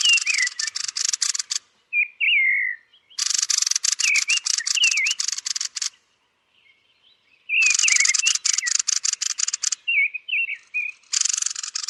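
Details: Roosting thrush repeating long bursts of dry, rapid clicking chatter, several seconds each, separated by pauses containing soft slurred whistles.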